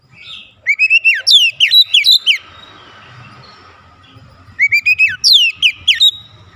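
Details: Provoking lure from an Oriental magpie-robin meant to stir other birds of its kind to sing: two phrases of sweet, rapid whistles with steep downward sweeps, a soft hissy lull between them.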